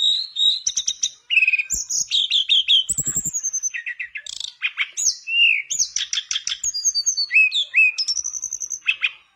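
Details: Mangrove blue flycatcher in sustained, vigorous song, intended to coax a silent mangrove flycatcher to sing: an unbroken rush of whistles, rattling trills, chips and upslurred notes with little pause.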